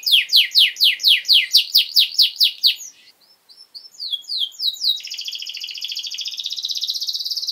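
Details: Canary song meant for training young canaries: a fast series of descending chirps, a brief pause, then rising notes leading into a dense buzzy high trill.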